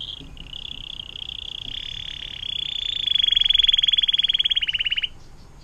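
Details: Canary singing a long 'air mancuran' (water fountain) style song, used for tutoring murai batu, cucak ijo and cendet: steady high whistled trill that swells into a loud, rapid pulsed roll before stopping abruptly.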